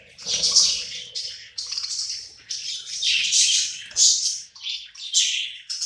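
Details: Pet budgerigars crowding around food and eating together, a flock chattering in continuous high, buzzy chirps and warbles, with brief low knocks beneath.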